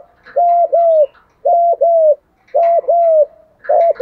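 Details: Rhythmic 'thúc gù' cooing of a spotted dove, meant to stimulate other doves to coo in training; four evenly spaced paired coos, a brief note followed by a drawn-out, gently descending hollow tone.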